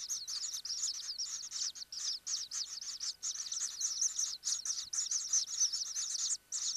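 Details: Inside a common kingfisher nesting burrow, a dense, continuous chatter of shrill, high-pitched trilled chirps runs in quick bursts separated by short pauses, with quiet background.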